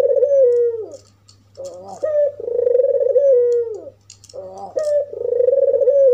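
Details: A white albino collared dove with red eyes, calling to trigger other doves, delivers repeated coos: a falling rolling note, then a crackly introductory burst followed by a sustained purring coo. A new phrase starts every two to three seconds.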